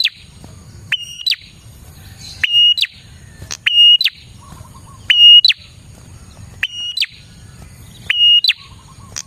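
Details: Lure song of a prinia for drawing in prinias, made of flat whistled notes, each ending in a sharp falling chirp. The phrase repeats about every one and a half seconds over a faint low hum.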